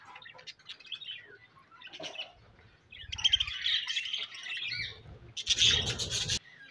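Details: Budgerigars chirping, kept as pets: bursts of scratchy, chattering warbles between brief pauses, louder clusters near the middle and end.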